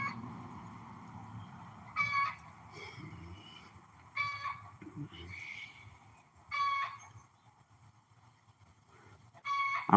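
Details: A hen, which the owner suspects is laying an egg, gives four loud, harsh, ringing squawks about every two to three seconds, with faint talking and background noise between them.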